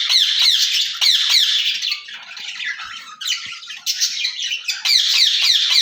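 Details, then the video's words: Two caged ring-necked parakeets calling to each other with grating squawks in fast runs, several bursts separated by softer scratchy chatter. "Speaking Parrots in Cage"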